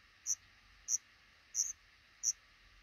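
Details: At a Black redstart nest tucked under a roof above a front door, where a pair is raising five newly hatched chicks: four short, piercing high squeaks spaced roughly two-thirds of a second apart over a faint hiss.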